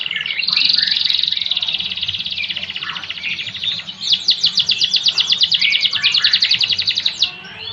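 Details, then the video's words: Timbrado canary of the Spanish breed delivering a varied song: warbled rolling trills and slurred notes, then a loud fast run of sharp, rhythmically repeated chipping notes ending in a rising sweep. "Canary Timbrado singing ( Timbrado Spanyol)"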